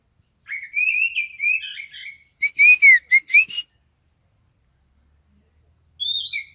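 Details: Oriental magpie-robin singing vigorously; a wavering run of clear whistled notes, then several short, loud, harsh-edged whistles, a pause, and a brief higher falling whistle.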